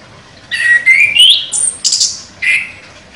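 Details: Contest champion chestnut-capped thrush, known locally as anis kembang, delivering a sharp song: rising whistled notes climbing into high buzzy bursts, several phrases packed within about three seconds.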